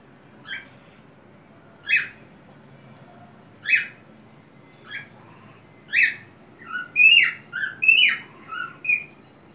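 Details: Whiteface cockatiel singing on its homemade swing, swaying and tilting its head, indoors: spaced single squawky chirps about every two seconds, then a busier burst of rising and falling whistled notes at the end.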